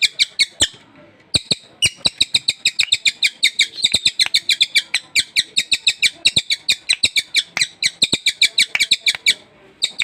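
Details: Newly acquired captive sultan tit singing busily: dense, rapid volleys of sharp, high chirps, several per second, with brief pauses and sharp clicking knocks mixed in.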